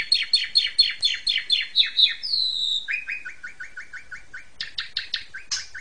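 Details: Asian pied starling singing a training song for young birds: a run of rhythmic buzzy notes, a drawn-out high whistle, then a fast series of lower chirps and a few harsh high notes.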